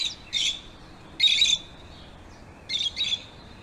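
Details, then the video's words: Lovebird calls, three loud shrill squawking chirps spaced about a second apart, each a short harsh double note over a quiet background. "Love birds sounds | love birds sounds that will make your bird sing"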